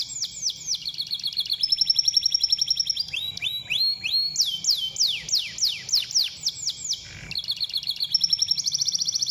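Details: Canary singing, used to prompt canaries to sing: a long high-pitched song of rapid trills and repeated notes, with a sequence of loud descending sweeping whistles in the middle and a quick buzzy trill returning at the end.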